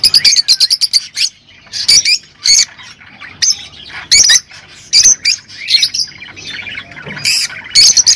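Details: Rosy-faced and Fischer's lovebirds heard in a breeding-encouragement recording: loud, harsh squawks in short clusters, separated by quieter soft twittering, repeated irregularly throughout.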